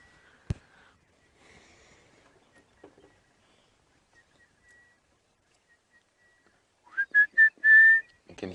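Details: Orange-breasted bushshrike at sunrise on a morning safari drive, 15 October 2016, gives a quick run of clear, slightly rising whistles ending on a longer held note; faint talk and rustling come before it.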